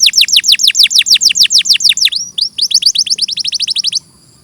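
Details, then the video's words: Clear canary song: a string of loud chirps sweeping steeply downward, a short slurred note, then a faster, softer run of small falling notes before the song stops. "Masteran suara burung KENARI II audio jernih"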